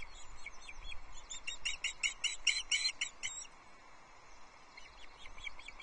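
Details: Loch Arkaig osprey nest, 22 June 2024: the male delivers a small whole trout to the chicks. A loud burst of about a dozen rapid, piercing whistled cheeps in two seconds, then fainter notes, against constant background hiss.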